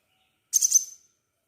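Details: Crimson sunbird in active song, recorded to lure other sunbirds into singing: one brief, very high, buzzy burst of rapid chirps lasting under half a second, then silence.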